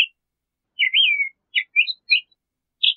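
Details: Crissal thrasher song, a few short phrases: a slurred note that slides downward, then scattered chirps and brief whistled notes separated by short pauses.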